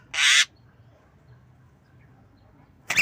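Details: Javan myna learning to imitate a cough while nodding: two short, harsh, broadband hacking bursts, one at the start and one at the end, with near-silence between.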